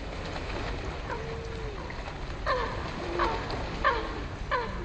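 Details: Eurasian coots fighting at Hackney Marshes, London: short, sharp, clipped calls roughly every second, over a constant rushing wash of water noise.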